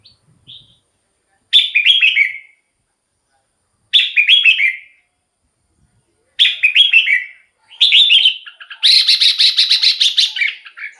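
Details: A caged red-whiskered bulbul repeats short, bright warbled phrases every two to three seconds. A denser, longer run of rapid notes closes the passage. The song is meant to excite birds or lure wild ones.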